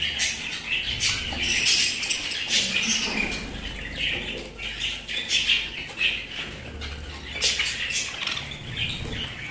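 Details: Pet budgerigars produce rolling, warbling chatter with squawks and chirps, and soft fluttering now and then.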